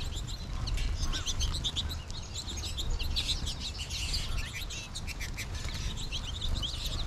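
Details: American goldfinches calling in a flock, many birds in nearby trees: a thick chorus of rapid high-pitched chirps and twitters, loudest in the middle, over steady low background rumble.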